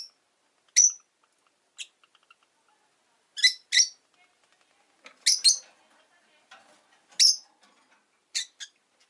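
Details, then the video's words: Rosy-faced lovebirds, five kept caged by a window on a lazy afternoon, give sharp, high, scratchy chirps at irregular gaps of one to two seconds, several in quick pairs, with near silence between them. "Lovebird Chirping Sounds"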